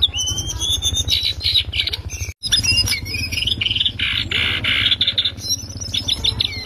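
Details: Lesser shortwing in strong ngriwik song for tutoring other birds: high twittering phrases and sliding whistles, a brief silent break near the middle, then a burst of broad buzzy notes, over a low steady hum.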